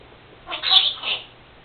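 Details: Female pet Senegal parrot indoors, known to imitate sneezing; one drawn-out, hoarse, two-part vocal burst with a bright, high-pitched peak in the middle.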